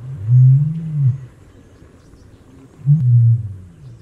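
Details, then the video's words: Common ostrich: two deep hollow booming roars, the first lasting nearly a second, the second following two seconds later, low and resonant with little else heard. "Страус. Голоса птиц"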